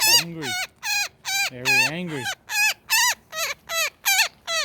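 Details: Woodpecker caught in a net during a rescue, giving harsh, buzzy, downward-bending squawks about two to three per second, with a low human voice speaking under the first calls and again midway.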